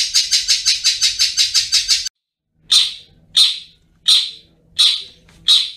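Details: Long-tailed shrike, 'ngriwik' singing from a tutor recording: a fast burst of about sixteen harsh scratchy notes in two seconds, a short silence, then five loud rasping notes spaced under a second apart.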